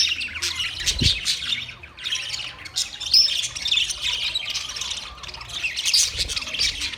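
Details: Several budgies keep up a steady chatter of rapid chirps, scratchy warbles and short squawks, layered over each other; a soft low thump near the start.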